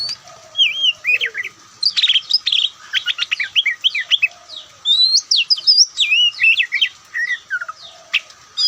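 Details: White-breasted Oriental magpie-robin (Kacer Poci) in relaxed song: a rapid, continuous run of varied notes, with buzzy chips, rising and falling whistles and quick trills packed closely together.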